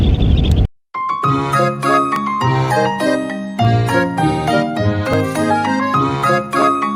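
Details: After a brief burst of noise and a moment of silence, bright chiming glockenspiel-like music with bell tones plays steadily, with no animal voices.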